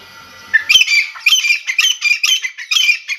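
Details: A wild grey francolin gives loud, harsh, grating notes, repeated about twice a second in a rough, rhythmic series with no other sounds.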